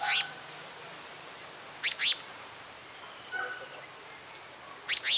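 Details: Male and female black-naped monarch at their nest, giving paired rasping, scratchy notes at intervals of about three seconds, with a quiet lower note between groups.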